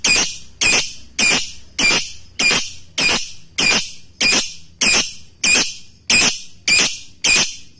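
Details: Lovebird in ngekek song, a series of twelve loud, harsh rasping screeches, each about a third of a second, repeated steadily roughly every 0.6 seconds.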